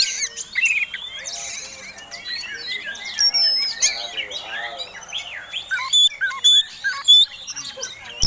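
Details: Fighting Oriental magpie-robin, persistent and displaying with flared tail, sings a provoking song: varied warbled phrases over soft lower twitters, then sharp clear whistles and chirps repeated more loudly in the last seconds.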